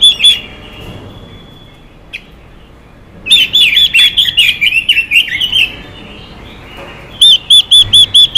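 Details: Chinese hwamei, a female singing xùy to excite males, shifts from a lone whistle and silence into a rich, fast jumble of varied slurred notes, then finishes with a crisp series of repeated arched whistles.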